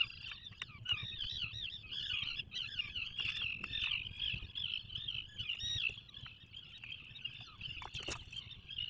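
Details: Atlantic puffin calling from a nesting burrow 21 miles off Maine in the 2024 season: a continuous quavering nasal tone with sharp clicks and scuffs scattered throughout.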